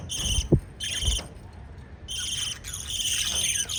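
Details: Pet lovebirds chirping while feeding chicks: bursts of shrill, buzzy chatter with bright overtones, broken by a quiet pause, plus a few soft low thumps near the start.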